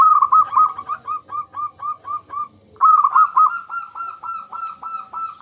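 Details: Lure song of a local zebra dove, meant to stir quiet zebra doves into singing: a quick run of evenly spaced, bouncing coo notes breaks off, then a louder, denser run follows after a brief silence.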